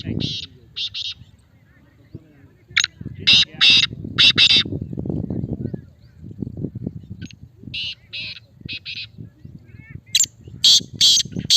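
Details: Male black francolin (kala teetar) calling repeatedly: several phrases of harsh, rasping, grating notes, each phrase a quick cluster of three to four bursts, separated by low rumbling background noise.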